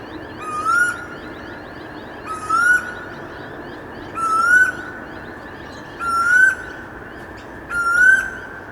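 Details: A Pacific koel in late afternoon suburbs gives five loud, rising whistled notes, one about every two seconds, over a soft suburban hum and faint high chirps from other birds.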